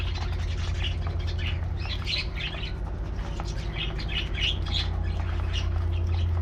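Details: Aviary budgies getting a morning diet treat, making quick repeated chirps and short warbled notes in bunches, steadily through the clip, with a strong low hum behind.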